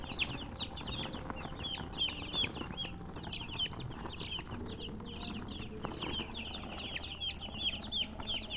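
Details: Continuous chirping from a group of colored chickens: bright, quick, descending peeps that overlap densely, with a soft low rumble underneath.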